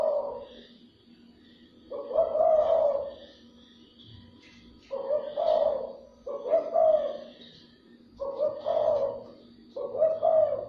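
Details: Spotted dove calling to stimulate and lure other doves: deep, mellow two-part coos, each phrase about a second long, repeated in bursts with short pauses between, with faint higher chirps of other small birds in the background.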